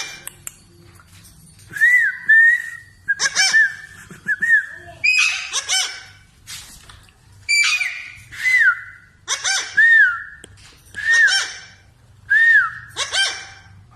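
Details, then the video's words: Parrot voice with repeated mid-pitched whistled notes that rise and dip, each wrapped in harsh squawky bursts, recurring about every second. "parrot natural voice sound"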